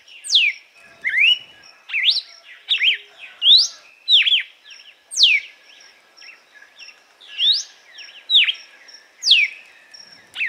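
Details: Açoite song of the red-cowled cardinal, a strain used for warming up and training caged birds; series of bright whistled notes sweeping up and down, delivered in quick bursts across ten seconds.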